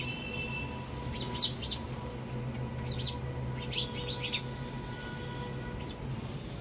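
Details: High sparrow chirps in scattered short bursts, two or three notes at a time with pauses between, set against a constant low electrical-sounding hum.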